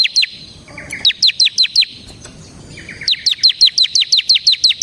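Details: Bar-winged prinia (ciblek semi) singing ngebren-style as a lure for training birds: evenly spaced falling high chips, some paired with lower buzzy notes, a quiet break, then a long steady run of the same chips.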